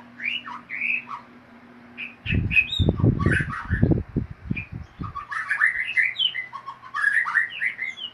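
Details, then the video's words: White-rumped shama, described as very chatty, giving rich whistled and chattering ngeriwik phrases throughout, while a series of loud low thuds breaks in during the middle seconds. "SUARA MURAI BATU NGERIWIK BAGUS DAN MERDU"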